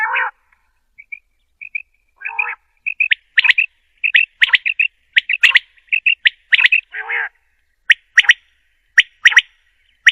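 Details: A female common quail, recorded in Potohar, Punjab, Pakistan, where such calls are used for quail hunting, gives short, high chirping notes, often in quick pairs, mixed with a few harsher rasping calls, irregularly about once a second.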